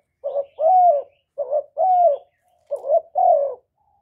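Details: Spotted dove recorded without background noise, calling steadily to lure other doves: clean, soft, resonant coos, each phrase a brief note followed by a longer drawn-out falling coo, repeated three times.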